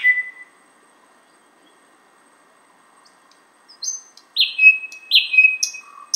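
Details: Thrush nightingale singing outside a window in Finland, north of its usual range: a short falling whistle, a pause, then a loud phrase of high notes, clicks and two sweeping whistles that drop in pitch.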